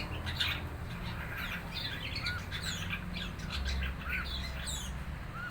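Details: Four-month-old red-eyed fig bird chattering as it learns to sing: rapid squeaky chirps and a few short rising-falling whistles over a constant low mechanical hum.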